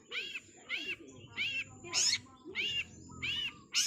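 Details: Long-tailed shrike in a training recording for songbirds: a regular series of harsh, buzzy, rasping notes about two per second, with low background murmur.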